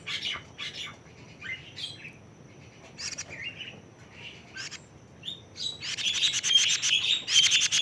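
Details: A plaintive cuckoo 41 days old gives assorted short, high chirps and slurred notes. These build into a loud, continuous, buzzy rattle of rapid pulses over the final two seconds. A steady faint high tone is also heard.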